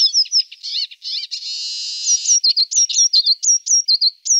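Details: Eurasian siskin feeding on alder cones, giving a rapid series of thin, high chirps and twittering notes, with a short buzzy wheeze in the middle, then sharp repeated tseet-like calls at the end.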